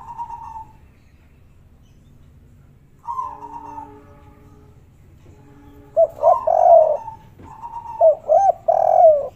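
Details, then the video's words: Spotted dove (derkuku), kuk 3 style, local wild recording: a soft hoarse coo, then after a pause a fuller phrase, followed by loud repeated rounded coos in short bursts near the end. "suara burung derkuku kuk3 super gacor"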